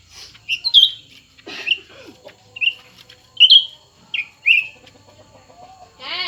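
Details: Cucak ranting song from a contest between two birds, a new one and an old one. Bright whistled notes, each a quick falling slur, come in irregular bursts. A rasping burst is heard near the start, and a buzzy sweep near the end.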